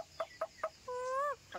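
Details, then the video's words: A myna, taught with great effort to talk like a human, mimics speech: three quick clucking syllables, then a drawn-out, voice-like tone held about half a second before dropping away. "পাখিটাকে অনেক কষ্ট করে মানুষের মতন কথা শিখিয়েছে || Bird Talking"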